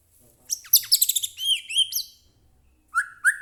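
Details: White-rumped shama (murai batu), captive, singing to provoke another bird: a quick, high series of bright, looping whistled notes, then two lower slurred whistles after a short pause.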